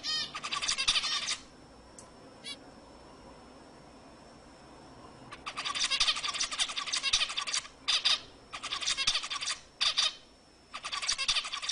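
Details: Zebra finches singing to rouse hens for breeding: a burst of harsh buzzy notes, several quiet seconds with a lone click, then a long run of rasping, stuttering phrases broken by brief gaps.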